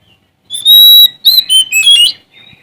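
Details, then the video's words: Sumatran Oriental magpie-robin singing vigorously to challenge rivals: a long pure whistled note, then a quick run of clear, sliding whistles and twittering notes, ending in a soft trailing call. "Suara Asli Kacer Sumatra Gacor Cari Lawan"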